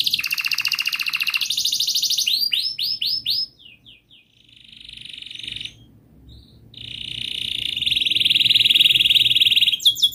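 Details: Canary song used as a lure to coax a silent canary into singing: rapid trills and rolling phrases, a run of descending sweeps, a brief near-silent gap, then a long loud high buzzing trill.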